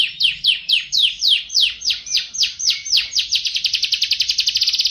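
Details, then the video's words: Canary tutor song for other birds: a steady series of loud, downward-swooping notes, evenly spaced at first, then quickening into a fast, buzzing rattle. "Masteran Suara Burung Kenari"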